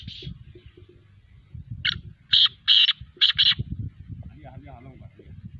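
A partridge gives five harsh, grating bursts in quick succession, loud and high-pitched, over a low background rumble with faint voices.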